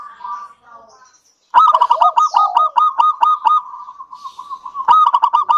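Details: Song of a local zebra dove, a frequent singer, used to lure other doves to sing: after soft distant cooing, a sudden loud run of about a dozen rapid staccato coo notes, a level purr, then another loud burst.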